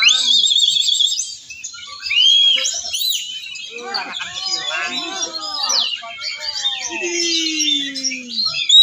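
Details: A champion Oriental magpie-robin (Copsychus saularis), winner at a bird-song contest in Banten, Indonesia, sings a rich, unbroken run of varied whistles, trills and slurred notes with mimicry mixed in, over a crowd's chatter and shouts.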